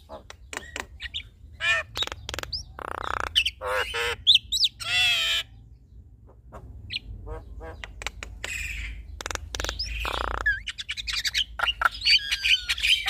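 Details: Male and female Javan mynas duetting, kept birds: a jumble of harsh squawks, clicks and broadband bursts mixed with short whistled notes and warbling phrases, loud rasping segments near the middle, faint low hum throughout.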